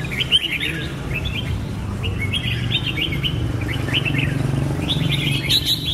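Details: Clusters of quick, bubbly whistled notes from a Red-whiskered bulbul come in separate bursts about a second apart, with a low hum running underneath.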